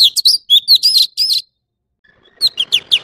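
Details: Orange-bellied leafbird song: a fast string of high, slurred whistled notes, a short gap, then a few more quick descending whistles over faint rustling.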